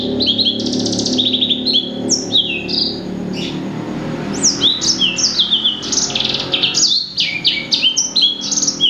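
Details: Blackthroat-sanger hybrid known as blacksang pouring out an energetic twittering song of high downslurred whistles and quick trills, with steady low rumbling background noise underneath throughout.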